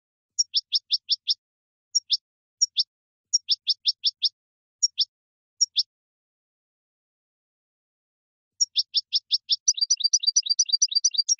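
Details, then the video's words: A European goldfinch sings bright, high chirps in quick bursts of three to five notes, then dense rapid twittering after a pause, in otherwise silent background; a strong song said to excite males and ready females for mating. "اقوى تغريد حسون يحفز الذكر يهيج الأنثى للتزاوج"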